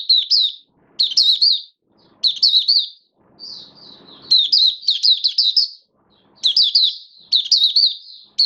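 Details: Caged oriental white-eye (mata puteh) in build-up form delivers repeated bursts of high, rapid warbling, each burst about half a second to a second, with short silent gaps and faint room noise.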